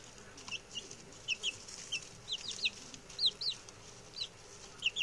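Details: Newly arrived male chicks, six together, peeping in their new home: sparse, high, thin cheeps spaced irregularly, each a short falling whistle, with soft background noise.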